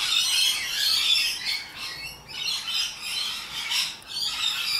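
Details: Rainbow lorikeets, highly social wild Australian parrots, produce a continuous wash of harsh, grating screeches and squawks with rhythmic pulses, several birds calling together.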